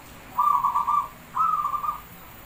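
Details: Javanese zebra dove (perkutut) song used as a lure: two rolling, vibrating coos of about half a second each, separated by a brief gap, clear over a low, quiet background.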